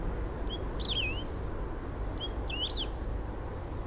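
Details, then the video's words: A Lesser Grass-Finch sings two brief phrases, each a short high whistle followed by quick swooping, sliding notes, over a steady low rumble of wind or background noise. "canario do brejo canto"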